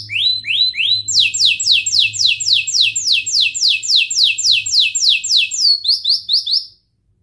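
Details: Long-singing canary, played as a lure for young birds learning to sing: a rapid rolling run of descending whistled syllables, about four per second for several seconds, ending in a few sharper notes before silence.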